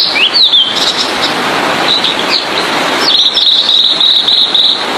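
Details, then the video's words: Blue-and-white flycatcher singing steadily, recorded as training song for other songbirds: high thin slurred whistles near the start, then a fast twittering trill of repeated short notes in the second half, over a loud constant hiss. "Burung Sikatan Biru-Putih||TLEDEKAN Biru Gacor"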